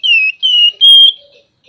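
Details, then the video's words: Flamboyan songbird in full, lively song, described as flute-like nyuling with ngebren: three loud, pure, piercing whistled notes in quick succession. The first two dip slightly in pitch, and the third is held steady and a little higher before fading out. "Burung Flamboyan Gacor Isian Mewah Nyuling Ngebren"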